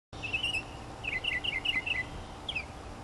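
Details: Northern mockingbird singing while preening among native plants in Florida, 2005: a bright, high, whistled phrase, then a quick run of six repeated chirping notes and a final slurred note, over a low steady background hum.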